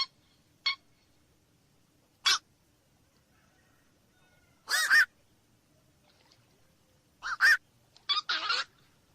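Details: Black-crowned night heron making sparse, abrupt, hoarse kwok-like squawks spaced a few seconds apart, ending with a quick cluster of three harsh calls.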